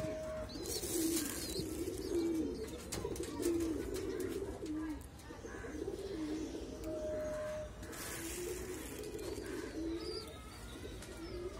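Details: A baby pigeon being hand-fed gives soft, low squeaky begging notes, repeated in short bursts.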